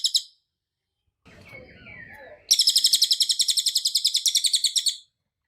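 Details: Masteran recording of a cililin in close-fire tembakan rapat style. A brief high note opens it, a soft noisy stretch with faint warbling follows, then a long fast string of piercing, evenly pulsed notes lasts about two and a half seconds.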